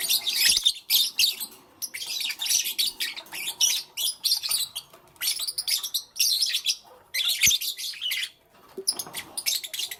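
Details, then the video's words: Lovebirds, small pet parrots, calling in the morning: dense, loud, harsh chattering and shrill squeaky chirps in rapid overlapping bursts, with only short breaks in the noisy stream. "Lovebirds Chirping Sounds"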